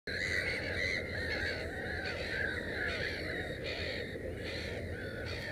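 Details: Black-headed gulls at a nest with three chicks, 15 May 2016, giving harsh, grating calls about twice a second, overlapping like several birds calling at once, over a steady low rumble.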